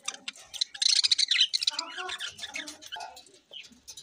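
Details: Rainbow-coloured budgies, a selectively bred colour form, chattering in rapid, high, scratchy warbles and quick chirps, densest at the start and thinning out, with a little human speech mixed in.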